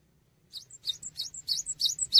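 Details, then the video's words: Actively singing cinereous tit, used for training songbirds: a quick series of about six high, sharp chirps, each followed by a short thin whistle, growing louder toward the end over a low hum. "GELATIK BATU GACOR UNTUK MASTERAN"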